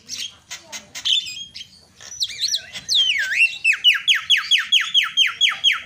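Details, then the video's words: Lure recording of myna calls for mynas that have stopped calling: scratchy chatter and swooping whistles, ending in a fast rhythmic series of loud descending whistled notes. "sekali pencet langsung cerewet terapi jalak macet"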